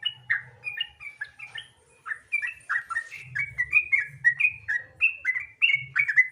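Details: Sooty-headed bulbul in nonstop rapid 'gacor ropel' style, used as a lure to get other bulbuls singing: quick bubbly whistled notes, rising and falling, tumbling one after another with barely a pause, over a low steady hum.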